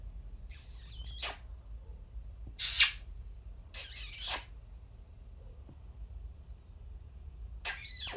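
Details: Pet conures indoors giving four separate harsh, raspy chirps spaced a second or more apart, each a short scratchy burst, with near silence and faint room hum between calls.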